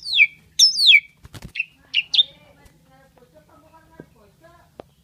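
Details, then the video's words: Loud, high whistles from an Asian pied starling known for imitating people: sharp descending slurred notes and short upward-flicking whistles, a burst of rattling noise between them, then faint quiet chatter. "Jalak suren gacor Unik meniru suara orang"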